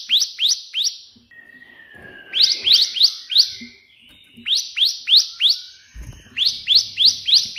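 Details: Bar-winged prinia 'tembakan' burst song for tutoring birds: short bursts of three to five sharp, high, hooked notes separated by brief gaps, with soft low thumps near the end.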